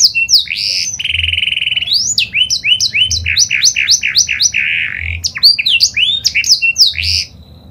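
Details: Canary (kenari panda) song used to draw other canaries into singing: a flat buzzy roll gives way to a long series of quick repeated upward-sweeping whistled notes, then another brief roll and more sweeps.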